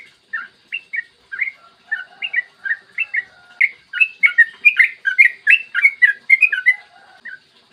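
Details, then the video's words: Long clear morning song of a yellow-vented bulbul, used to stimulate other bulbuls to sing: evenly spaced chirps at first, then building to a rapid, bubbling, tumbling run of liquid notes before tapering off. "PANCINGAN TRUCUKAN AGAR BUNYI burung TRUCUKAN GACOR ROPEL PANJANG"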